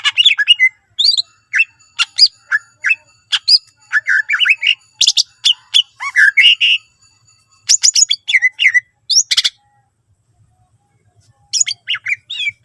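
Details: Greater green leafbird in full, richly varied song, used to prompt other leafbirds to sing diligently: loud bursts of sharp chirps, whistled slurs and squeaky notes in quick phrases, with pauses between bursts.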